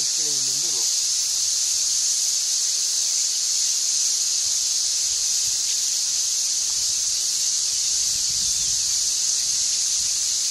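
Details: Vast red-billed quelea nesting colony in the African bush, countless chicks begging for food as one steady, high, hissing wall of sound, with a brief low voice-like sound in the first second.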